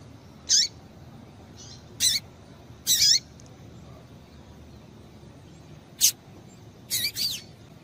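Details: Female double-collared seedeater calling to excite males: six short, high, sharp chip notes, some with a quick downward slur, spaced irregularly over about eight seconds against faint background hiss.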